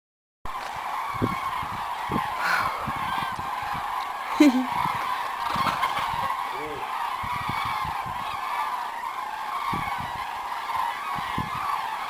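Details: Cranes returning in spring over South West France in February; a steady chorus of many overlapping rolling, trumpeting calls from a passing flock, with low gusty thumps of wind or handling noise throughout.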